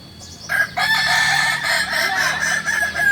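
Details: Kokok Balenggek roosters training together, Ampang Kualo, Kota Solok, West Sumatra; after a quiet start, loud dense crowing breaks in and continues as a sustained run of quick wavering notes from overlapping birds.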